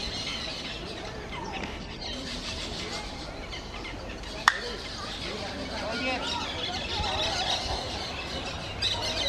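Parakeets chatter nonstop with dense, scratchy squeaks and warbles, overlapping into a continuous babble; a sharp click cuts through midway.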